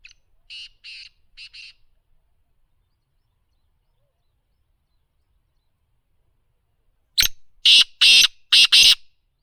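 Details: A black francolin (kala teetar) calls twice: a soft far-off phrase of rasping notes, then after a silent pause a loud nearby phrase, a brief sharp note followed by three longer harsh, grating notes in quick rhythm.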